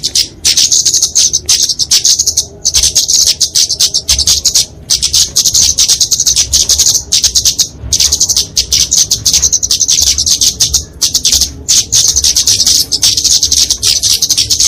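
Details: Kemade flowerpecker fighting song, used to train and lure small birds: dense, very high, sibilant chattering in extended phrases, with brief breaks every few seconds.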